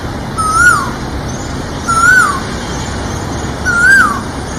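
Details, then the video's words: Asian koel giving three clear, mellow whistled notes that rise then dip, about every two seconds, over a steady insect-like drone. "Asian Koel"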